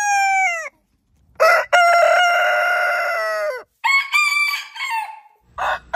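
Rooster crowing: a loud, harmonic cock-a-doodle-doo with a long sustained middle note that falls away at the end, then a shorter broken crow.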